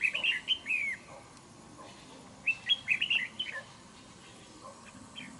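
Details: Red-whiskered bulbul, a wild-caught fighting trap bird noted for a good voice, gives two bright bursts of quick warbling whistled notes. The notes rise and fall, and the bursts are separated by about a second of near silence.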